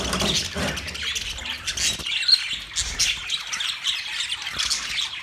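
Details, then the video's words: Budgies recorded on November 19, 2023, produce a steady stream of harsh squawks and thin chirps. The calls come in quick bursts, with a low rumble briefly at the start. "Cute Budgies chirping sounds"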